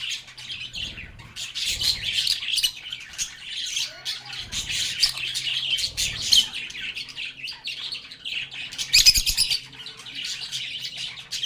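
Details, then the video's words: Several lovebirds chatter and sing as they play, giving a steady wash of shrill chirps and short squawks, with faint low knocking sounds in the background. "Lovebirds agapornis sounds"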